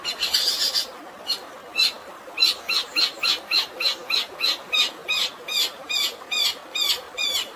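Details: Long-tailed shrike with fighting-sparrow style filler over natural water sounds, intended to calm stressed birds. A harsh opening burst gives way to a long steady train of scratchy chirps, roughly three per second, above rushing water.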